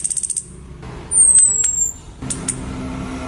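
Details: Female orange-headed thrush calling to a male so that he starts singing, used as a lure recording: one thin, high whistle sliding downward over almost a second, with soft clicks before it and low rumbling background noise.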